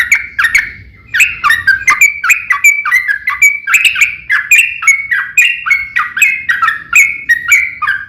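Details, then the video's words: Yellow-vented bulbul singing a vigorous, long fighting song meant to spark replies from other bulbuls. A brief pause after the first notes, then an unbroken chatter of bubbly, slurred whistles. "KICAU SUARA trucukan gacor TARUNG ROPEL PANJANG"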